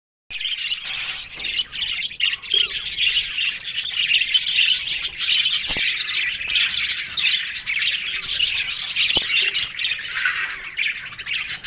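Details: Budgerigars, apparently in an aviary colony, warble together in a steady stream of high, chirpy chatter with scratchy, squawking notes.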